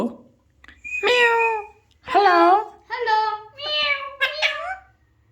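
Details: Talking Alexandrine parakeet producing a series of five rough, voice-like syllables with bending pitch, like repeated spoken words, in a small room.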